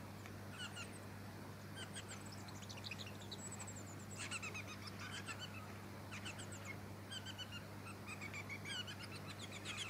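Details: Black-backed form of the splendid fairywren, subspecies melanotus, in Victoria, Australia, December 2017, known by the Aboriginal name miril-yiril-yiri. Scattered bursts of high, rapid ticking trills come from more than one singer over a steady low hum.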